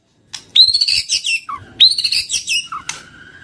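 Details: White-rumped shama (murai batu) singing a lure song: two rich, busy whistled phrases, each opening with a high clear note and closing with a lower slurred dip.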